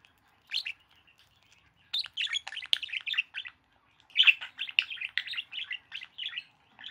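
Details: A budgerigar flirting with its owner's hands warbles in rapid, scratchy chirps and clicks, a busy chattering courtship display.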